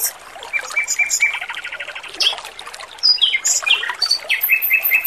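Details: Male Pekin robin singing loud and clear over trickling water, pouring out a varied, hurried jumble of chirps, slurred whistles and short trills with no long pauses.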